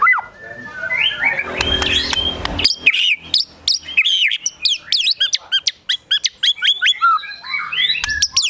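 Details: White-rumped shama in agitated gacor emosi song with mimicked besetan, tembakan, sogon and kunti: high rising slurs and a harsh rattle, then many fast sharp down-swept notes and chips.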